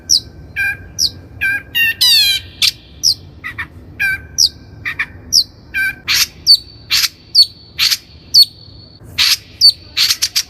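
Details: Long-tailed shrike singing as a lure for training untrained captive birds: varied sharp chips, squawks and slurred whistles given singly in a loose, irregular series, with a brief rising warble early on.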